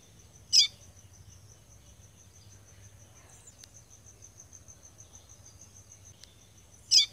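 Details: Female caboclinho seedeater calling in the caatinga sertão of Rio Grande do Norte, Brazil: two short, sharp, high notes about six seconds apart, over a steady high-pitched insect drone.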